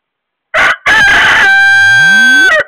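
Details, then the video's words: A rooster crows once at 11:58 am on 3 April 2021: a short harsh opening note, then a long strained cry held steady before it breaks off. "rooster call"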